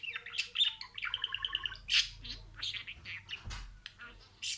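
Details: A talking budgerigar repeating words: a rapid stuttered series of pure, evenly spaced tonal notes, then a loud harsh burst and softer scratchy chatter.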